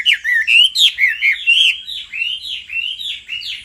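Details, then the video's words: A male hwamei sings in response to a female's calls, a continuous warble of upward-slurred, liquid whistles linked almost without pause. "Họa mi mái xùy liên hồi kích chim trống căng lửa hót ngay"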